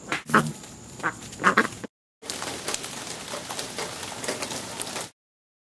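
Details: A family of friendly black ducks that has spent about a month around a house gives a few short, coarse quack-like calls early on, followed by steady rustling and shuffling noise.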